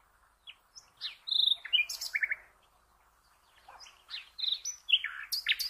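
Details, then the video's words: Common nightingale singing, used as a training recording for cage birds: scattered whistles and a short trill, a brief buzzy rattle, then a livelier run of mixed slurred and high buzzy notes. "The Best NIGHTINGALE Song for all bird lovers"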